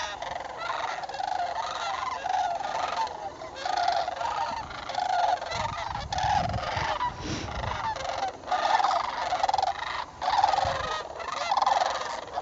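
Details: Gathering sandhill cranes in northern Indiana during October fall migration: dense, loud chorus of rattling, trumpeted calls from many birds overlapping without pause.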